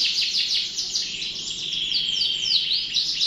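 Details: Dense canary song: overlapping high trills and sweeping whistles blend into a continuous bright wash of sound, with several phrases layered together.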